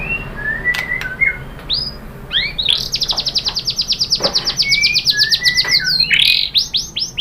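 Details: White-rumped shama lure song for prompting a bird to reply and sing: a few clear slurred whistles, then a long, rapid, high-pitched chattering series of sharp notes, ending in bright rising whistled phrases.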